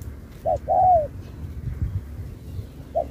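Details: Contest spotted dove, Thúc kèm Bo song style. One full phrase is heard: a quick note and then a long, wavering coo that slides down. The start of the next phrase comes in at the end, over a low rumbling background.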